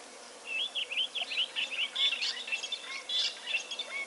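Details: Gabar goshawk, at a drinking spot where a melanistic form is also present; a fast run of high, clear piping notes, roughly two to three per second, slightly uneven, over a quiet background.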